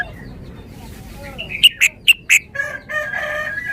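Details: Cage-kept red-whiskered bulbul performing its song phrases: soft lead-in notes, then four evenly spaced, sharp, loud whistled notes, followed by a lower, rolling warble.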